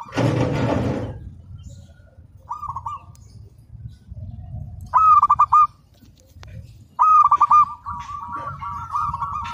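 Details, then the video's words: Persistently singing local zebra dove: after a loud honking burst at the start, bouts of rapid clipped coos on a steady pitch come in three phrases over a low rumbling background. "Perkutut Lokal Gacor"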